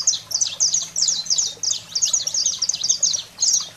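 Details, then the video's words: Saffron finch song in the wild fiery style used to excite pet canaries: loud, high, slurred chirps repeated in rhythmic bursts separated by tiny gaps, with a faint low drone behind. "Canário-da-terra Fogo Selvagem para Estimular a Fibra e Foguear seu Canário em Minutos"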